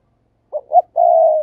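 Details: Kept decoy spotted dove giving a gáy gọi coo phrase: a short soft note, a louder rising note, then a long even low coo, all clean without other sounds.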